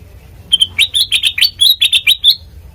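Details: Sooty-headed bulbul singing, a recording meant as a lure for training birds; after a short pause comes a quick burst of about ten sharp, rising chirps, clear and close.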